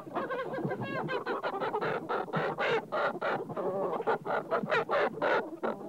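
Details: Chickens clucking: a dense run of short, harsh clucks repeated several times a second, overlapping calls from more than one bird, with a few longer squawking notes.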